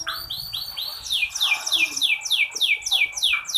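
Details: Female canary sound meant to stimulate a quiet male canary to sing: fast, even train of high downward-sweeping chirps, roughly three per second, continuous throughout.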